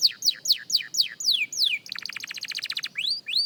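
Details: Young canary practising its song: a run of repeated downward-sweeping whistled notes, then a fast dry trill of many short pulses, and then rising whistled slurs, all high and bright.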